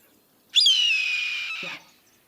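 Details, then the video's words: Red-tailed Hawk gives one hoarse, drawn-out scream of just over a second, starting high and harsh and sliding downward, ending with a faint thud; the familiar default wilderness sound in films. "so everybody knows what a red-tailed hawk sounds like even if you didn't know that you knew"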